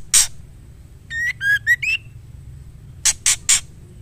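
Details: Female white-rumped shama calling a male: one harsh rasp, then four whistled notes of varying pitch, and finally three more harsh rasping chacks.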